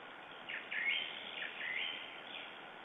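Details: Estonian lesser spotted eagle calling on a June 2011 morning: a few clipped, downward-sliding yelps close together, then softer notes fading out into a continuous hiss.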